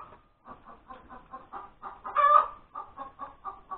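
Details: Hen's egg-laying cackle on a Sunday morning, January 31, 2021: evenly spaced clucks about four per second, broken by one loud, strained, drawn-out squawk midway.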